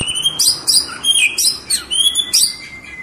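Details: Tame white-rumped shama singing up close: loud, clear high whistles alternate with short buzzy, sharp bursts, about six phrases in three seconds, with little background noise.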